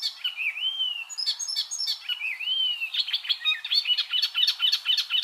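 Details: Icterine warbler song opening with two smooth arched whistles separated by brief scratchy notes, then breaking into a fast, dense chatter of sharp high chirps.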